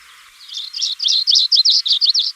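Black-throated Gray Warbler singing a quick, high, buzzy series of about eight wheezy two-part notes, steady in pitch, lasting under two seconds.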